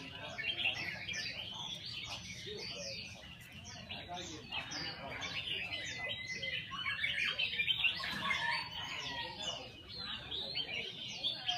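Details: Caged red-whiskered bulbul singing during practice: a dense run of bright chirps and short whistled phrases, about four per second. Other birds overlap and faint voices sit underneath.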